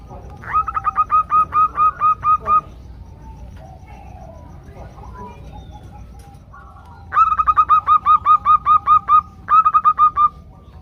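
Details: Group of female zebra doves calling the males, a recording used as a lure to get birds singing: two bursts of rapid, evenly spaced cooing notes, about eight in the first and fourteen in the second, with a quiet gap between.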